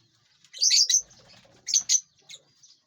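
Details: Lovebirds flying and feeding in a large aviary; a few bright, shrill chirps in two short bursts over faint wing flutter and background rustling.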